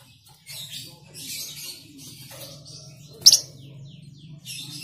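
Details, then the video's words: A Flamboyan bird, recorded as a lure song to trigger other birds, sings in high, bright bursts of rapid chirping and twittering, with one sharp loud note near the end, over a faint low hum. "Pancingan Burung Flamboyan"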